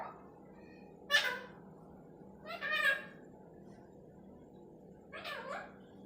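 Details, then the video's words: Three short, harsh, voice-like bursts from a talking parrot, each sweeping down in pitch and several seconds apart, with near silence between them. "talking parrot"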